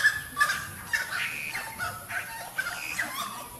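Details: Saracura song: a run of loud, honking, cackling calls in uneven bursts, several overlapping, with a hiss in the background.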